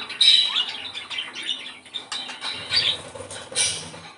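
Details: Budgerigar song played to stimulate breeding condition: busy high chattering warble with short squawky notes and brief clicks, sounding in bursts across the clip.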